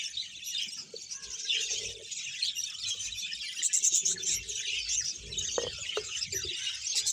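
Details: Colony of roughly 100 pairs of budgerigars, Bahawalpur, giving a constant overlapping twitter of high chirps and warbles, with a few brief louder squeaks and short knocks in the background.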